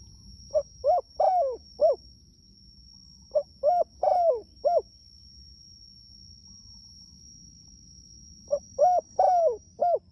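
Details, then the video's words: Spotted dove calling its companions: three phrases of soft, hollow coos, each made of four or five notes with a longer, wavering note in the middle, separated by pauses of a few seconds, over a steady high electronic whine. "Suara Burung Tekukur Gacor Memanggil Temanya"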